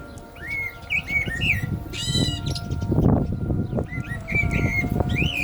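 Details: Common blackbird singing through the call to prayer: looping fluted phrases and a brief harsh squawk, with the steady tones of the chanted azan and low noise behind.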